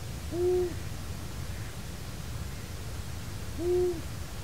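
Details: Long-eared Owl in Germany, where it breeds in tree groups, cemeteries, gardens and forest edges, giving its courtship song: two soft, low, hollow hoots about three seconds apart over a quiet background hum.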